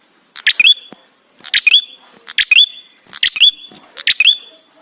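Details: Red-headed prenjak, or ashy tailorbird, in a lure recording meant to make birds sing: five loud phrases of clipped high chips and a downslurred whistle, evenly spaced about a second apart.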